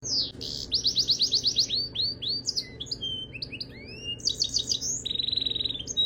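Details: Canary singing a varied, high song: fast repeated sweeping trills, rolling phrases and a bright buzzy trill near the end, with changing tempo throughout.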